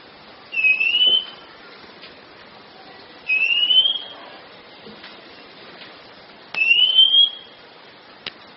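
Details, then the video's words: Song of a kacer, or Oriental magpie-robin, used to train kept songbirds: three smooth rising whistles, each about half a second long, delivered roughly every three seconds, with faint clicks between them. "SUARA BURUNG - Masteran Terbaik Kacer"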